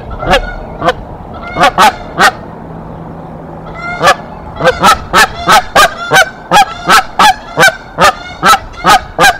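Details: Canada geese fighting off an intruder female at their Decorah N2B nest, April 2024: loud, strident honks, a few early ones, then a fast, steady series of about fifteen evenly spaced honks in quick succession.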